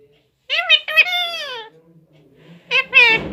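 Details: Pet parrot nine months and nineteen days old, talking in Hindi, produces a quick run of short high, speech-like syllables, a pause with faint background talk, then another brief burst of chattering syllables.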